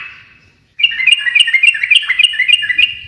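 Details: After a fading tone, a sooty-headed bulbul launches into rhythmic 'gacor ngekek' chatter. Quick paired chirps rise and fall in a steady bouncing pattern, repeated several times a second.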